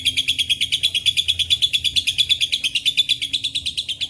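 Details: Lovebird giving a long ngekek trill mixed with cililin and canary phrases: rapid, evenly pulsed, chattering notes repeating about three times per second without a break, bright and high-pitched, with a faint low hum beneath.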